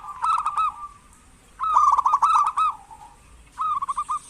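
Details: Lively local zebra dove used as a lure so that lazy doves will call, giving three bursts of rapid, rolling, purring notes, each phrase ending in a slightly drawn-out tone, with short pauses between.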